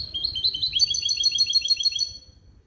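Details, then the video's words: Male goldfinch × female canary hybrid, a cage bird schooled in clean limpio goldfinch base calls, delivering a fast run of sharp, high, evenly repeated twittering notes that fades out after two seconds. "CHANT DE MON HYBRIDE JILGUERO ET CANARI"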